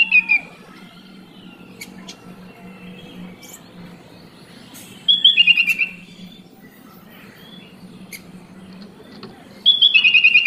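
A sooty-headed bulbul gives three short, bright, bubbly phrases of quick falling notes, spaced several seconds apart, over a faint low hum.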